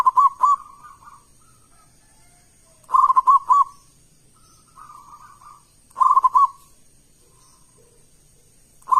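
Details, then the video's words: Big-voiced local zebra dove song meant to draw replies from other doves. Repeated phrases of rapid, bubbling coos arrive about every three seconds, with softer murmured notes between them and a steady thin high tone underneath. "Perkutut lokal gacor suara keras besar - pancingan burung perkutut"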